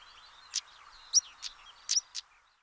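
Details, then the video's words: European stonechat at Botallack, among gorse in coastal heathland, gives five sharp, hard ticks like two stones tapped together, unevenly spaced over about two seconds, with faint thin high whistles between them. "Stonechats are often seen perched atop gorse bushes, flicking their tails and emitting a sharp, distinctive call that resembles two stones being tapped together."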